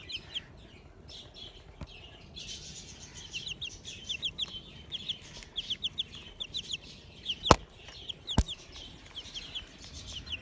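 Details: Desi chickens, a group of newly hatched chicks out after 15 days, keep up a busy chorus of thin high descending peeps, about one a second and often overlapping, broken by two loud sharp knocks over a low background rumble.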